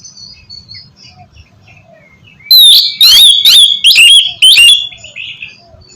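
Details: Oriental magpie-robin in 'ngeplong' style, a lure recording for birds that will not sing: faint scattered chirps at first, then a sudden burst of four loud, buzzy, sliding notes.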